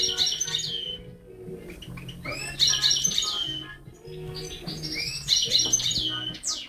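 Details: A tamed European goldfinch sings bright, tinkling twitters in quick bursts every two seconds or so, over soft, low background music.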